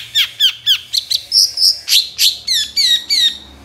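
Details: Long-tailed shrike singing energetically, a lure to provoke silent shrikes into song: a steady run of clear downslurred whistles about four a second, varied with buzzy and slurred notes midway.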